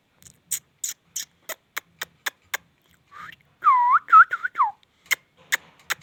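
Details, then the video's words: Indian ringneck parrot talking: a series of sharp taps or clicks, then a burst of looping, swooping vocal syllables with ringing overtones, followed by more scattered clicks. "talking I•ndian |king| Parrot"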